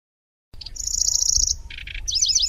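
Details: Brief burst of Lanceolated warbler chattering song, described as grasshopper-like with rolling trills and sharp shots: a steady high buzzing reel, a couple of lower rattles, then quick zigzag trilled notes.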